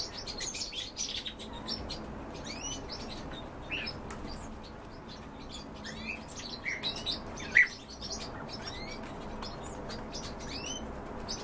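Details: European bee-eaters at feeding, giving a string of separate rolling, slightly rising chirps, sparser at first, then livelier with a loud sharp note near the middle.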